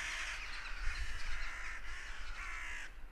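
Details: Crows raucously cawing in response to a goshawk that apparently made a kill; a dense wall of harsh overlapping caws ends abruptly, over steady low wind rumble.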